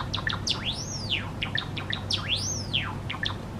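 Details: Courtship song of pet Java sparrows, four-year-old males singing indoors to a white female: bubbling clicks and bell-like tinkling notes, each burst capped by a smooth, arching whistle, twice in succession over faint hum.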